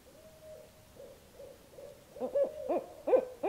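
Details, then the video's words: A pair of Barred Owls calling together in the dark one evening in north central Kansas, soft even hoots building into loud rising-and-falling whooping runs; calls presumed to be mating-related. "Barred Owls Calling at Night"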